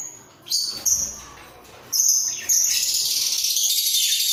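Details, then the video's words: A budgerigar pair in a breeding cage, nodding while vocalizing: a few clipped whistles and chirps early, then a sustained, high, raspy warble. "Sepasang Burung Parkit Gacor"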